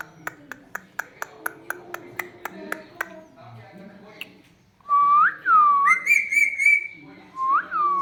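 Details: Pet parrot copying different voices: a run of evenly spaced sharp clicks, then loud whistled notes, some swooping down and up, others held level.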